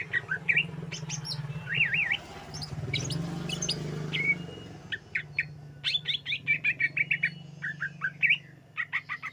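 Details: Greater green leafbird, song meant to lure birds: zigzag whistles and sharp chirps, then a rapid series of clipped notes and warbles, with a steady low droning hum throughout.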